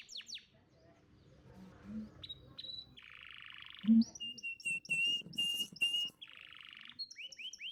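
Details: Champion canary song played to young canaries: falling sweeps, buzzy rolls, pure level whistles and short high notes, with some low background sounds between phrases.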